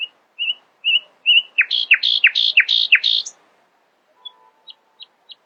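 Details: Nightingale singing at dawn: four warbled whistles, then five loud, repeated notes sweeping down sharply, followed by a pause and a few faint high ticks.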